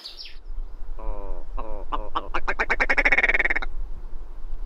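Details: Willow Ptarmigan (red grouse), a Northern Hemisphere bird whose call is given by both sexes while camouflaged on the ground: harsh, nasal croaks that start slowly and speed into a stuttering rattle over about three seconds, with low wind rumble.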